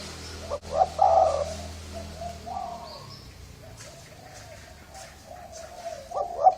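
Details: Spotted dove of the Thai strain with a hoarse voice, cooing to lure males and females: a few soft, husky coo notes near the start and a brief rising note at the end, with a low steady hum beneath.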